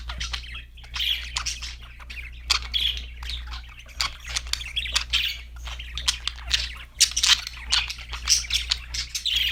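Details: Happy budgies chirping and singing: dense, fast warbled chatter of squeaks and chirps that rises and falls without pause, with a steady low hum underneath.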